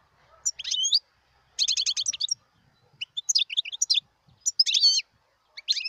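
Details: Wild European goldfinch singing in 2018. Twittering phrases alternate with a buzzy rattle of repeated notes and scattered high chirps, separated by short silent gaps.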